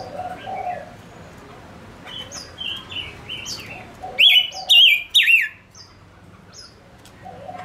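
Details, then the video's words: Male Gouldian finch kept as a decoy to attract wild birds, giving a run of whistled phrases that builds to three loud, rapidly warbling bursts, then softer notes, with low mellow calls at start and end. "Chim ngũ sắc mồi hót cực hay kích bổi nhanh nổi | chim ngũ sắc hót | ngũ sắc trống"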